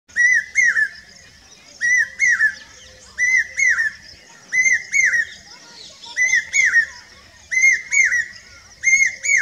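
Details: Common hawk-cuckoo, known locally as papiha, singing in Rajasthan, India: loud, clear whistled phrases of three rising, shrill notes, repeated about every one and a half seconds.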